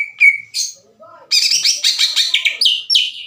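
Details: Challenging greater green leafbird, loud and harsh, urging other leafbirds to fight: two clear whistled notes, a short softer pause, then a dense burst of rasping chirps followed by sharp descending whistles.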